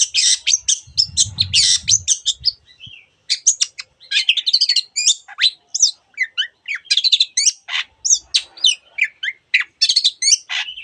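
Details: Long-tailed shrike singing a busy, varied medley of high chirps, squeaky whistles and harsh notes delivered in quick bursts; a short low rumble sounds near the start.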